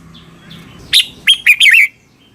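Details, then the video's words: Caged red-whiskered bulbul from Thailand, recording played to train or excite birds: a single brief phrase of four bright whistled notes, the last two slurring downward, after a moment of quiet with faint soft chirps. "เสียงนกกรงหัวจุก สำหรับต่อ หรือ เปิดให้นกคึก เสียงเพราะๆ"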